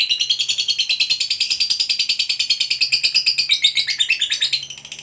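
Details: Singing lovebird of the fighter competition type delivers a sustained ngekek panjang, a rapid rattling trill of steady, evenly spaced notes that slowly slides lower and fades near the end.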